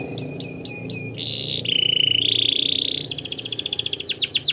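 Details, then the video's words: A Belgian canary sings as part of canary training material: evenly spaced hooked chirps, a long smooth rolling tone shifting pitch, then a fast pulsing trill of downward sweeps growing louder. "Canaries Singing | Belgian Canary Song"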